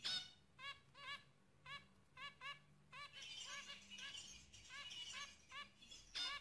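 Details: Zebra finches showing signs of pair bonding give a steady run of short, nasal, honking beeps, often doubled, repeated several times a second, with a brief burst of chattering in the middle and a sharp click at the end.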